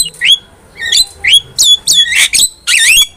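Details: Javan myna in vigorous song for teaching caged birds: rising whistled notes in short bursts, ending with harsh scratchy squawks.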